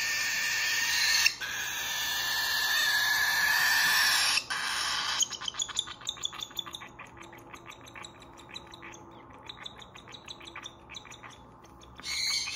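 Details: A baby cockatiel being hand-fed begs for food with a steady stream of raspy, rhythmic chirps.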